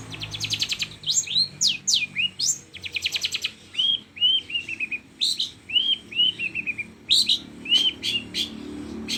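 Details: Long-tailed shrike song imitating a lovebird: bursts of fast, harsh rattling chatter alternate with short downslurred whistled notes, sharp chips and trills in quick varied sequence, all high-pitched and loud against a quiet background.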